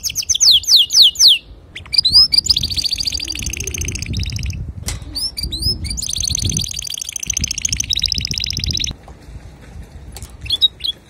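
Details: Male canary song meant for teaching young canaries: a quick series of sweeping notes, then long buzzy rolled trills broken by short pauses, with a brief quieter stretch near the end.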